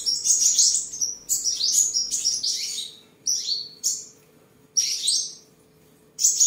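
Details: Seven-colour sunbird kept at home in Tân Phú, Đồng Nai, Vietnam, on 23 July 2022, singing while displaying and sparring: loud, very high, sweeping twittering bursts about a second long, separated by short pauses, over a faint steady low hum.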